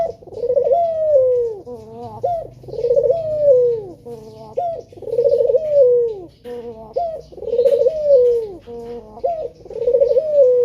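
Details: Male spotted dove calling vigorously as a lure to prompt other doves to sing: loud, mellow multi-note coos with a rolling start and a drawn-out falling ending, repeated steadily about every two seconds, in a small room.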